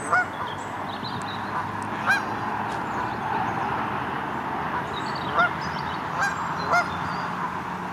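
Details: Canada geese giving a handful of short nasal honks at irregular intervals, several seconds apart, set against a steady, rushing background noise.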